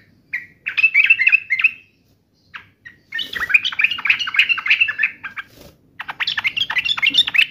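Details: Fast, jumbled chattering song from an agitated sooty-headed bulbul in fighting mode, delivered in several bursts of rapidly repeated slurred notes with short silent breaks.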